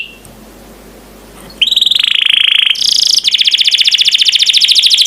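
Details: Canary master recording for bird training: after a quiet start, a sustained buzzy whistle, then a higher tone and a fast, even trill of repeated notes.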